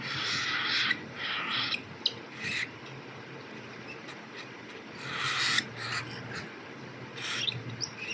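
A baby cockatiel gives harsh, raspy begging calls in repeated bursts while being fed.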